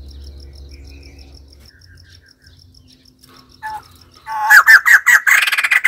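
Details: White-crested laughingthrush: after quiet faint chatter and a low hum, a sudden loud series of harsh repeated notes breaks out in the last seconds and speeds into a rapid rattle.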